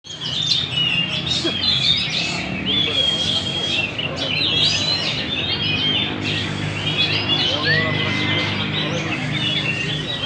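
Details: Magpie-robin singing energetically (gacor) at Banjar Indah: a dense, continuous run of high whistles, short sweeping chirps and trills, with a steady low hum underneath throughout.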